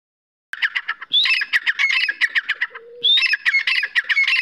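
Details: Grey francolin calling: a fast run of harsh, squeaky notes repeated several times a second, with a brief steady lower tone midway before the rapid squeaky series resumes.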